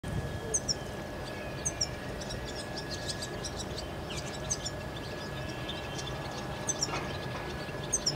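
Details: Himalayan goldfinch feeding on thistle in Kashmir, giving brief, very high tinkling chirps, singly or in pairs every second or two, over steady outdoor background noise and a faint hum.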